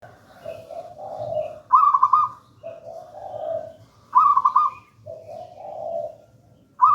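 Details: Local wild zebra dove singing in the gedang rojo style, used as a lure and master song: a low purring coo and a higher rolling trilled phrase alternate, repeated about every two and a half seconds, with a faint low hum beneath.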